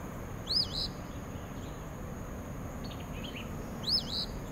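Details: An Eastern Phoebe by meadows and wetlands at Spring Lake gives its raspy, two-part "fee-bee" twice, about three seconds apart. Faint chirps from another bird, a steady high hum and low rumble sit beneath.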